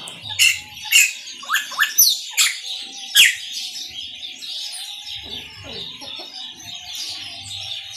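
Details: Maranhãozinho song from a chopi blackbird: a quick run of loud, sharp, clicking upward sweeps in the first three seconds, then only a soft continuous twittering wash.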